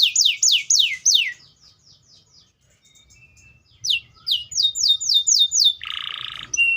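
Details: Singing canary giving descending whistled sweeps, then a quiet pause, then a run of rising notes, ending with a harsh buzzy burst.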